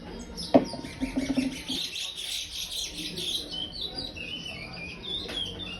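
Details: Five-month-old young chestnut-bellied seed finch in brown plumage, singing in the praia style: a run of quick high warbled and chirped notes, preceded by a sharp knock and low thuds, with faint background hiss.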